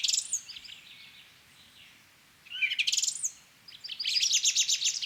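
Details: Song thrush (Turdus philomelos) singing loud, varied high phrases in quick bursts with short pauses, mixing different phrases, while a chaffinch sings at the same time.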